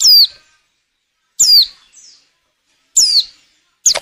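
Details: A breeding-condition female white-eye, a lure bird for prompting males to sing; loud, high, falling whistled calls repeated roughly every one and a half seconds, some trailed by a faint short note.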